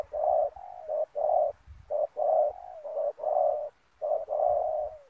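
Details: Decoy spotted dove luring wild doves to a ground snare, uttering rhythmic low coos, short notes paired with longer ones, a few ending in a gentle downward slide.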